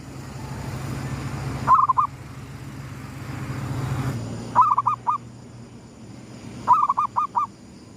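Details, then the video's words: Local zebra dove singing its gedong mengo lure coo as the sun rises; three phrases of bubbly, stuttering notes, each slightly longer than the last, with a low rumble fading partway through. "suara pikat perkutut gedong mengo,manggungnya pas menyongsong mentari terbit"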